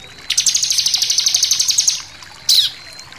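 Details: Bar-winged prinia giving an intense 'shooting' song with variations, used for tutoring captive birds: a fast trill of high chirps lasting about two seconds, then one sharp falling note.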